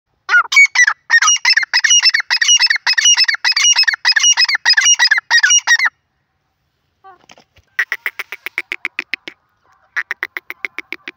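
A grey francolin gives a fast run of harsh, ringing notes for about six seconds. After a pause come shorter series of sharp, clipped notes.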